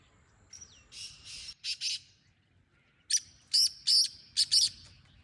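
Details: Wild black francolin giving its call: a thin falling whistle, then a short burst of harsh buzzy notes, a pause, and a second grating phrase of five loud rasping syllables.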